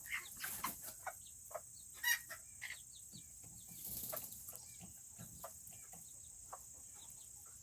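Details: Serama chickens, the world's smallest chicken breed, on a cooler Tuesday: brief scattered clucks and soft chirps from several birds, one sharper call near two seconds, over a steady high hiss.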